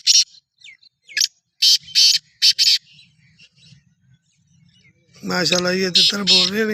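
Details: Black francolin, a kept bird being readied for chakri, gives short harsh buzzy bursts in quick uneven groups over the first three seconds, then a man's voice talks loudly over the rest.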